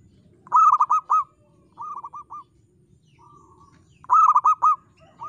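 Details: Zebra dove of a local strain in full, crystal-toned song. Phrases of rapid, bouncy cooing notes alternate with softer, shorter phrases of about four notes, and a low background hum runs throughout.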